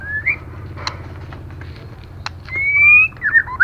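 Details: Female white-rumped shama calling to excite male birds: a brief rising whistle, a quiet gap with a few clicks, then a long level whistle and a quick upswept flourish.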